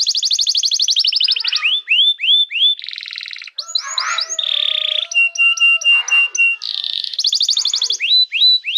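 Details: Varied canary song to prompt and train young canaries: fast trills, rising whistled notes, a low rattle, a steady held tone, repeated clipped notes, then more trills and rising whistles.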